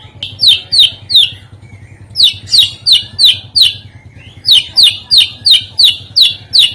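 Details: White-rumped shama song used as a lure to set other birds singing: rapid series of sharp, high chirps, about three per second, in bursts separated by short pauses, with a low steady hum beneath.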